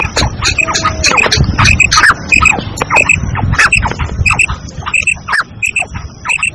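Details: Female black francolin calling, a call meant to lure other francolins quickly and rouse them; harsh, grating squawky notes come in short bursts about every half second over a low rumbling background.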